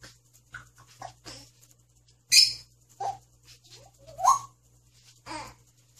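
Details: Young male African grey parrot said to speak Korean well, with words such as hi, hello and no: a string of short varied vocal syllables, some whistled and some voice-like, broken by two loud harsh bursts, over a faint electrical hum.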